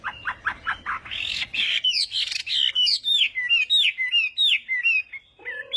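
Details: Chinese hwamei singing in morning practice, a varied run: rapid low rattled notes, then loud slurred whistles and rising-falling phrases repeated about three per second, ending with a low nasal note.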